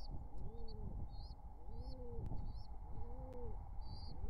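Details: At a nest in summer 2023, a wild pigeon pair courts: low, throaty, arched coos about every second and a half, with thin high chirps from the nestlings, hatched June 17–18, between them over a steady low rumble.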